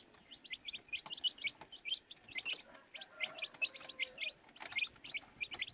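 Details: A group of baby chicks peeping busily, bright short chirps packed closely in uneven runs, with faint lower drawn-out tones in the background.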